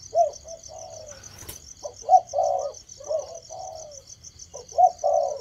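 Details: Spotted dove of the cu gáy thổ type starting its cooing, giving mellow two- and three-part coos with a sharper opening note and drawn-out ending, a brief click in between, over a constant high insect trill.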